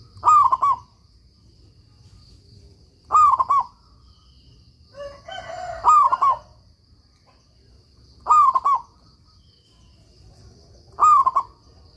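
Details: Local Zebra Dove singing as a master recording for training stalled doves; five regular cooing phrases, each a rising note plus rapid stuttered coos, about every two and a half seconds, with a brief harsher call from another bird midway.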